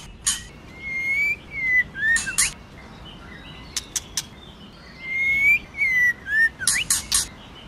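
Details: Female white-rumped shama singing in forest-style voice to stimulate the male: clear whistled notes near mid pitch, some rising and some falling, mixed with sharp high clicking bursts, in two phrases with a quiet gap between.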